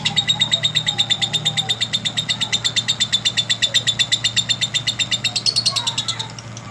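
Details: Lovebird master song meant to encourage other lovebirds to sing long: a sustained run of quick, piercing ticking notes with a faint low hum behind, rising slightly in pitch just before ending.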